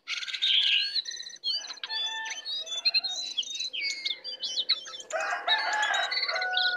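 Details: Wild brown cingcoang that came to attack: a varied outpouring of sweet slurred whistles, rising and falling notes and a rich chattering section near the end.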